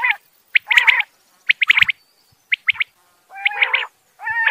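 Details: Quail, male and female, giving groups of two to four sharp chirps. These alternate with longer, nasal, buzzy notes, and quiet gaps separate the bursts.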